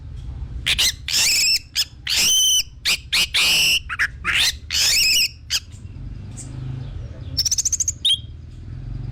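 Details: Orange-headed thrush song used as a lure to get other thrushes singing: loud, varied high whistled phrases with sharp chirps and harmonic notes, broken by short pauses, a low hum underneath.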